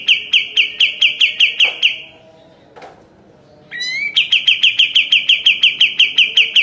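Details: Sooty-headed bulbul in energetic song, used as a master for training caged birds: a fast series of clipped chirps, a brief pause with a faint click, then a rising slur leading into another rapid, even trill.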